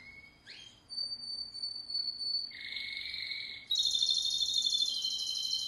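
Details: Timbrado canary song: clear whistled notes shifting between pitch levels, a sliding rising note, then a loud rapid trilled phrase near the end.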